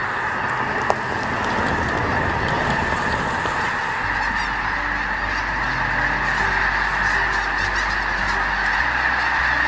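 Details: A vast flock of migrating snow geese at Freezout Lake, Montana, a spring staging area for up to 300,000 geese heading toward Canada and Arctic nesting grounds, honks in a dense overlapping chorus of high nasal calls over blowing wind.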